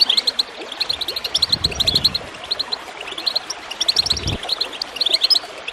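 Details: Goldfinch chirps for encouraging birds to sing, in clusters of crisp, separate high notes with short gaps between groups. Bubbling water runs underneath, with a few deeper splashy sounds.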